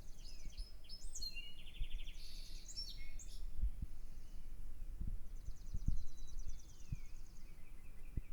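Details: Birds singing in the early morning at dawn: bright, high buzzy trills and rapid chirping phrases, some descending, with soft low thumps and background noise.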